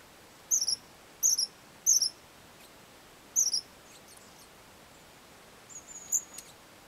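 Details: Long-tailed tits in Hornopožárský forest at Požáry on 25 January 2009, winter, repeating short, very high, slurred trilling call notes in quick pairs about every half second, then a pause and fainter notes.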